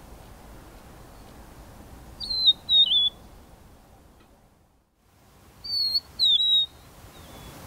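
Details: A Rufous-naped Lark perched on a large rock as its song post repeats a clear, plaintive whistled phrase of two or three descending slurred notes. The phrase sounds twice, separated by about three seconds of near silence.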